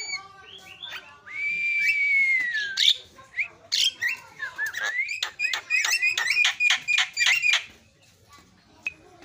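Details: Javan myna song used as a lure to make silent mynas sing: a long sustained whistle with a sharp upturn, then a rapid run of harsh clicking and chattering notes, fading to quiet.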